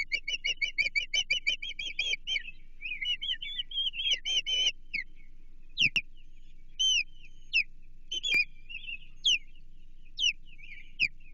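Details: Ospreys at a Chesapeake nest while an American shad is delivered for feeding, 28 June 2023: rapid series of high whistled chirps, then slurred and repeated piping calls, with occasional knocks.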